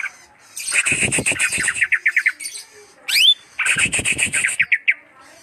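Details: Greater green leafbird gives two bursts of harsh, buzzy chattering that speed into quick stuttered notes, with a rising whistled sweep between them.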